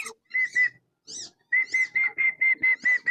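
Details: Tame wandering whistling ducks released to roam freely around swamps and rice fields give clear whistled notes, each with a slight rise and fall, repeated roughly every quarter second in a run after a few scattered opening calls.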